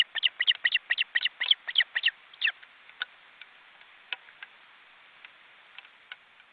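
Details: Nearly grown osprey chicks in a nest in an Estonian forest reserve, filmed by a live webcam as they flap their wings. A quick burst of high, piping chirps lasts about two seconds, then fades to sparse, faint single notes.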